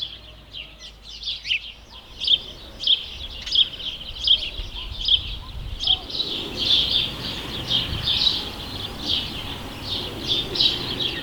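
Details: House sparrows chirping in a steady series of short, bright notes about every half second, building into busier overlapping chatter from more birds, with faint background hiss.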